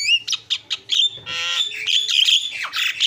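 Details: Harsh, loud squawking notes from a Javan myna isian song, broken by grating buzzy phrases and short whistled slurs, packed densely with almost no gaps.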